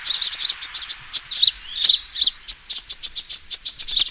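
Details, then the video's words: Sunbird fighting call used for luring: a fast series of bright high ticks, then squeaky slurred notes, then a steady rapid chain of piercing chirps. "suara pikat burung kolibri tarung"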